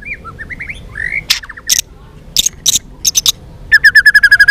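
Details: White-rumped shama in fighting song: soft slurred whistles, sharp clicking notes, then an even series of about nine bright repeated notes at the end.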